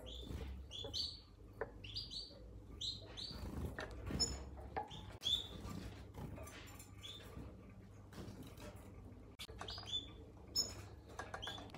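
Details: Blue-capped cordon-bleu feeding on wingless fruit flies gives thin, high chirps in quick bursts, with fainter squeaks from other small birds over a low background hum.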